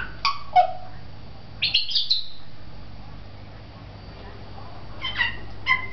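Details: Talking African grey parrot at a pet shop in Beit Hanina, Palestine, giving short whistled notes and chirps. A rising squeaky burst comes near two seconds, and a few more harmonic whistles follow at the end over a low indoor hum.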